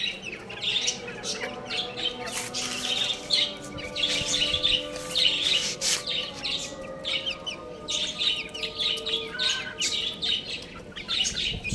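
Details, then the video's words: Young chicks at play and feeding, many shrill chirps running together continuously over a steady hum, with faint background music. "Cute Little Chicks Chirping Sounds"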